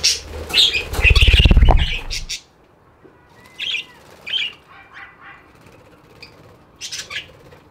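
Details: Budgies twitter loudly over a heavy low rumbling flutter at the start, then give sparse thin chirps, a soft rising whistle and scattered squeaks.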